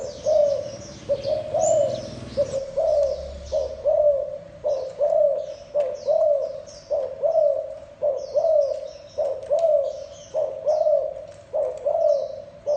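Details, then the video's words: Spotted dove of the thổ đồng type giving its gù coo: a low, hollow cooing phrase repeated about once a second, steady and evenly spaced, with thin high chirps from other small birds above and a low rumble early on. "Tiếng chim cu gáy thổ đồng gù cực hay cực chất"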